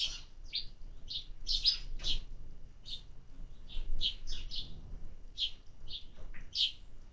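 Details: Sparrows fed during summer utter clipped high chirps, irregular, sometimes two or three in quick succession, then brief gaps, with low steady background hum.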